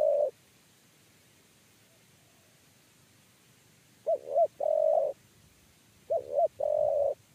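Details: Spotted dove with the 'kuk 3' coo while being lured to a trap cage. The tail of one phrase opens the stretch. After a long silence, two full phrases follow, each two quick, hollow coos and then a drawn-out coo.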